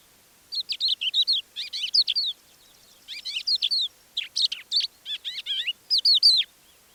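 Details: Crested Lark singing quietly its extended repertoire in the Manych area, April 2024, recorded with a parabolic dish: rapid bursts of high, twittering and slurred whistled notes in three phrases separated by short pauses, clean quiet background.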